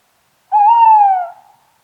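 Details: Single tawny owl hoot, smooth and hollow, rising slightly then gliding gently downward over about three-quarters of a second before fading, with no other sounds around it.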